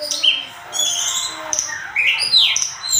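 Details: Tledekan gunung (Sunda robin) in vigorous song for a bird-tutoring recording: sustained high whistled tones overlapping, then rising and falling slurred notes with brief pauses between phrases.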